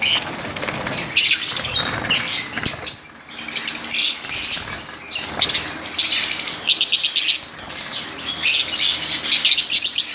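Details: Colony of lovebirds calling together: dense, shrill chattering and chirps layered almost continuously, with bursts of wing flapping throughout.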